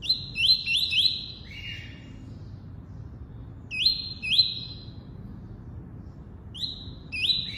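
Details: Double-collared seedeater singing tuí-tuí: a fast triple of upslurred high whistles and a lower falling note, then pairs of rising whistles repeated after pauses of two to three seconds, with faint low hum behind.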